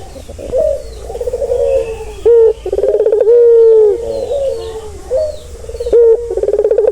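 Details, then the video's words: Ringneck dove cooing, offered as a relaxing sound to soothe a stressed bird: several low rolling coos, each ending in a drawn-out, slightly falling note, repeated through the recording with brief pauses between. "Suara santai yang bisa mengobati burung puter yang lagi stres"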